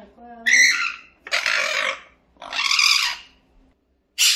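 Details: A pet parrot at home gives four loud, harsh squawks, each under a second, broad and raspy with a strong high edge, showing how noisy parrots can be; a person nearby talks quietly, telling it not to come close.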